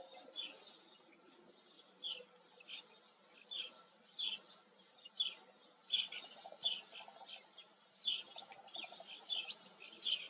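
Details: White wagtail giving a steady series of short, sharp chirped notes, high-pitched and slightly buzzy, about one to two every second, becoming denser in the final seconds over a faint low background hum.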